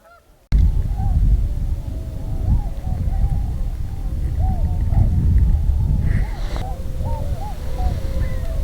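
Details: A flock of Tundra swans (Cygnus columbianus) passing overhead in early spring migration at Pinery Provincial Park, Ontario, on Lake Huron's icy shore, gives a steady chorus of soft, hooting, bugle-like flight calls, many voices overlapping, over strong low wind rumble.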